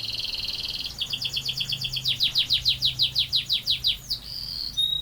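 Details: Canary performing a long rolling song: a high buzzy trill flows into a steadily repeated run of sweeping notes at roughly three per second, then ends on a short high whistle.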